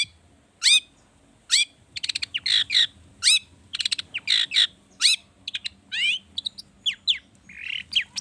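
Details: Agitated long-tailed shrike song packed with rich fill-in phrases, meant to spur other birds into song; sharp falling whistles, harsh chattering bursts and quick trills delivered in a fast, varied, high-pitched stream.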